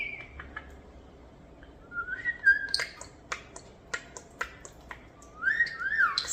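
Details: Pet European starlings, hand-raised after falling from the nest and about one year old, mimicking sounds indoors: sharp clicks and snaps spaced about a second apart, with sliding whistled notes near the middle and end.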